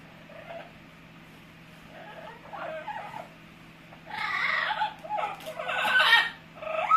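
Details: Pet Amazon parrot producing funny noises: quiet rasping sounds at first, then loud harsh squawks and whining, cat-like calls with bright whistled edges, over a constant low electrical hum.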